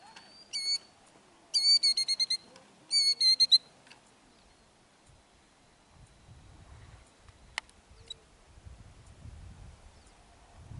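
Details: Killdeer in Kananaskis, Alberta, Canada, drawing intruders away from its eggs with a faked-injury display; three quick clusters of shrill, piercing repeated notes early on, then near quiet with low rumbling and one sharp click.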